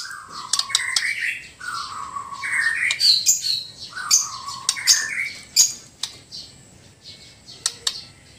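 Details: Loud song of a Sabah White-rumped shama from Borneo: swooping whistles that dip then rise, repeated about every one and a half seconds, each topped with sharp, high chips.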